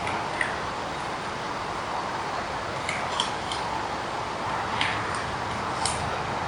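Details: Pileated Woodpecker pair excavating a new nest cavity beneath a shelf mushroom in forest, afternoon: scattered, irregular sharp knocks, about six in as many seconds, over a steady forest hiss; excavation knocks resemble feeding sounds.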